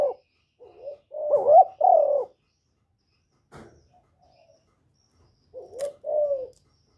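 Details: Spotted dove kept as a caller to spur other captive doves to coo. It gives a soft short coo and two fuller wavering coos, then a long silence with a faint click. Two more mellow coos end the phrase.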